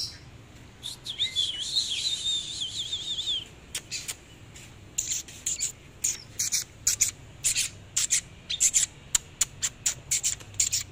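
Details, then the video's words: Oriental magpie-robin singing while dancing in display: a rapid whistled warbling phrase with quick up-and-down notes, followed by a long run of sharp, dry clicking notes at an irregular pace. "chòe than múa hót"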